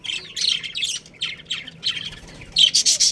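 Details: Budgerigars of a breeding pair in a colony chatter in fast harsh chirps, ending with several loud grating squawks close together.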